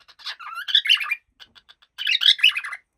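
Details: A happy cockatiel squawks and chatters, rasping mixed notes rising into sharper screechy peaks, a few soft clicks, then another harsh burst.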